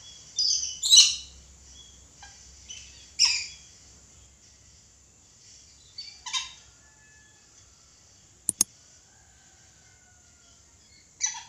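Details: Red lory screeching in scattered harsh bursts, a few loud ones early, then softer, spaced-out calls, with two sharp clicks near the end and a low background rumble at the start.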